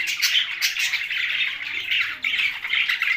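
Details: Budgerigars with parrots in Larkana, Sindh, squawking and chattering loudly in a thick, overlapping chorus of harsh chirps and warbles.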